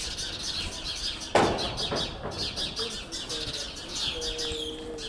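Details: Several sparrows alarm together with harsh, rapid chirps as a magpie tries to raid their nest in a nest box, with a sudden loud flutter or thump and faint low tones. Recorded in Jette, Brussels, on 5 May 2020.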